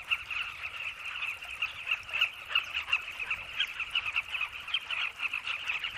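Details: Southern carmine bee-eaters in a busy nesting colony at Red Cliffs by a river, with eggs or chicks in their burrows, call excitedly while mobbing a boomslang. Many birds give constant overlapping chatter of throaty, rolling notes with no pause.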